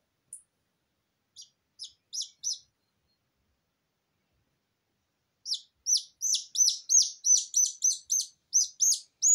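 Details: Newly hatched, still-damp Silkie Serama chicks crying: a few isolated high peeps, a silent pause, then a rapid run of loud descending peeps about three per second.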